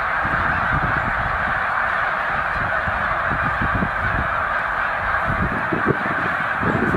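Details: Peak-migration gathering of some 100,000 snow geese at Middle Creek Wildlife Refuge, bound for Arctic breeding grounds; a thick, ceaseless honking chorus over low thumping rumbles.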